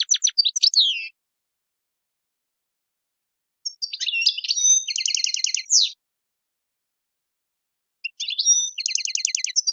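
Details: European goldfinch, described as wild, delivering separated twittering phrases, each containing a rapid buzzy trill of repeated notes.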